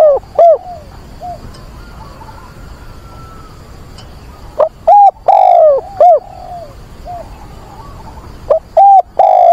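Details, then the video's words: Caged decoy dove calling to find a mate on 24 September in wind and rain: loud, clear hooting coos in short bursts separated by pauses of a few seconds, over steady background hiss from the weather. "Chim cu mồi gáy gọi tìm bạn"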